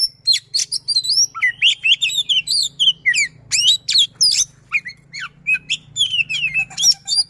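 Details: Oriental magpie-robin pouring out a dense, fast, persistent song with rolling notes, played as a trigger for magpie-robins that no longer sing. Squeaky, harsh chatter and wavering whistles follow in quick succession over a low hum.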